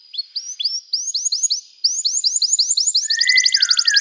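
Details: Canary song of curved whistled sweeps repeated about four per second, gradually speeding into a rapid, dense trill over a lower smeared note near the end.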